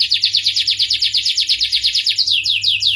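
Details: Starblue canary singing a rhythmic trill of sweeping downslurred notes, about three per second, shifting midway to slightly lower, more widely spaced syllables; faint hum below.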